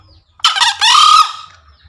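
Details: Crow of a green junglefowl, played daily as a master sound to get freshly caught or quiet junglefowl calling: a rough, explosive first syllable runs into a long, tense, even-pitched wail that tails away, with little background noise.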